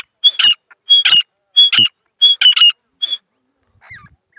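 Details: Grey francolins, two females and one male of a local desi type, calling together in a fast chorus: five loud, harsh, squawking bursts roughly every 0.7 seconds, each with a short clear note, then faint scratchy chirps in near silence.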